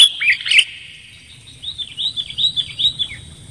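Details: Sooty-headed bulbul lure call, meant to attract birds, with clear voice: a few bright chirping notes at the start, then a softer run of quick rising-falling whistled notes, fairly faint.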